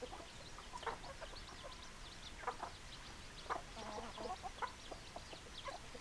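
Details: Chickens clucking in clustered bursts, brisk mid-pitched notes with short gaps between groups, several birds calling together over a quiet low hum.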